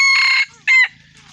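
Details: Gà rường F1 chicken giving a brief crow fragment: one strained held note and a shorter second burst that drops away, with a faint low hum behind.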